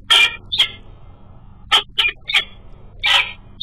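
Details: Female peregrine falcon on a webcam-watched nest, calling to her mate flying past: sparse, hoarse, grating single and paired notes, spaced irregularly with short quiet gaps and a low steady hum beneath.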